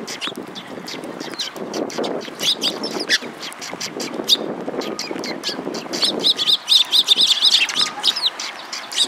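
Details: Sparrows chattering near a bridge on a March 2022 afternoon, a dense run of quick high chirps that grows louder and busier toward the end, with some low rustling noise earlier on.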